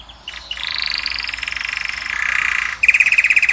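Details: European goldfinch from Morocco, caged, sings for a female. Brief chirps lead into a sustained buzzing trill that lowers near the end, followed by sharp repeated notes.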